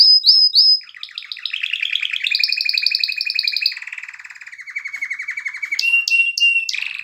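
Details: Canary singing in excited 'mast' form: bright whistled notes, then long rapid rolled trills at steady pitch, shifting between tours and ending in clear sharp whistles, indoors with no other sounds.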